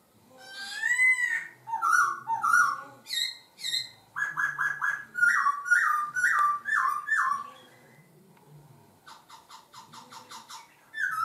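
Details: A laughingthrush sings loud, rich whistled phrases that slur and change voice, with a quick run of about six falling notes midway and short pauses between bursts.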